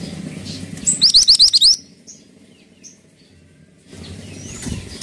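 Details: Pied triller's song: a high note, then six rapid ascending whistled notes in quick succession, followed by quiet soft chips over a low background hum.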